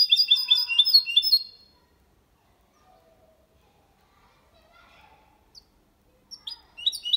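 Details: Goldfinch × canary hybrid delivering copia malaga song to stimulate females and teach young birds. A burst of quick high twittering ends after about a second and a half, followed by near silence, then the twitter resumes briefly at the end.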